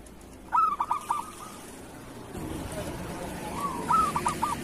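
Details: Local zebra dove giving kerot-style song as master audio for other doves: two brief clusters of stuttered coos at the start and near the end, separated by a quieter stretch with a low rumbling background.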